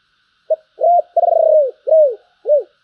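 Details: One complete phrase of spotted dove song in the thổ voice: a brief note, a rising hoot, a drawn-out, rapidly pulsed coo, then two arched coos falling off in pitch.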